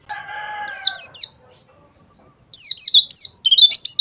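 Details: White-eye song played as therapy to coax white-eyes into opening their beaks and singing: quick bursts of high, sharply sliding chirps in two phrases separated by a pause, with a lower harmonic note at the start.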